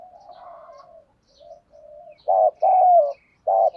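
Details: Decoy spotted dove cooing to lure wild doves, a 'thổ' voice style: soft low murmuring coos give way to loud mid-pitched phrases, a short doubled note then a longer falling coo, followed by another burst.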